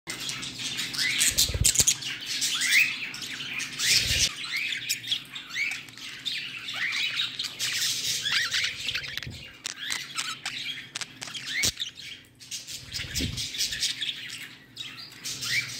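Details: Pet budgerigar during play time chattering continuously with bright, scratchy warbles and sharp chirps.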